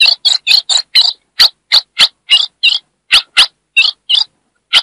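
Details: Chiado of a female ultramarine grosbeak from the Brazilian Northeast, a call used to arouse the male: steady, rapid, scratchy chips, roughly three per second, some doubled, with a brief pause near the end and a quiet background.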